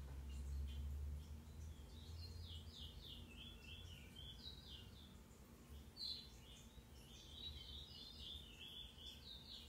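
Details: Lined seedeater, known locally as pico plat, singing: fast runs of high, buzzy notes slurring downward, fairly faint over a steady low rumble and background hiss.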